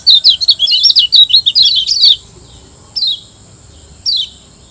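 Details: Kecial kuning, a Lombok white-eye, used as master song for training caged birds: two seconds of rapid, high twittering chirps, then two single down-slurred whistled notes spaced about a second apart, over a steady thin high whine.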